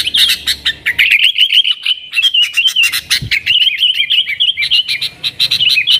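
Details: Yellow-vented bulbul in continuous 'nggaruda' style song, played as a lure to call wild sooty-headed bulbuls: rapid bubbly chattering warbles, dense and unbroken for six seconds, with a brief low thump midway.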